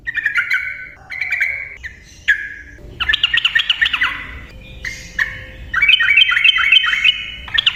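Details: Yellow-vented bulbul in persistent rolling song for luring silent birds: short whistled phrases, then bursts of bubbly, rapidly repeated chattering notes, rising to a brisk warbled run at the end.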